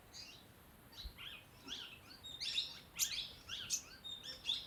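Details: Sunbird near Dehradun, Uttarakhand: thin, high-pitched chirps and twittering notes come in quick, irregular bursts, with a few sharper, louder notes around the middle. The sound is fairly quiet against a soft background hiss.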